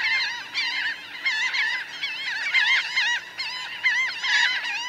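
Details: Nearby laughing gulls from a flock of some 1000 birds on ground and in flight, uttering clear bent nasal cries in overlapping bursts that pulse roughly every second amid the wider colony din.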